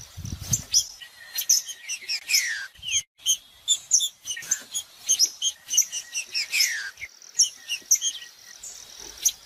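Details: Green-winged saltator singing to warm up a cold saltator: a few loud, downward-sliding whistles stand out against a dense, constant chatter of high, rapid chirps and ticks.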